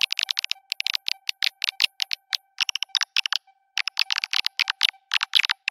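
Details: Swiftlet call lure for attracting swiftlets, mixed with a songbird-therapy background track: fast bursts of dry, buzzy chirps in a dense, continuous chatter, over a faint steady whine.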